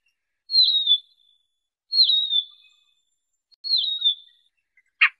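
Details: Siberian rubythroat, sound used for trapping: three drawn-out high whistles, each starting with a quick dip and fading steadily, spaced about 1.5 seconds apart, ending with a sharp dry click.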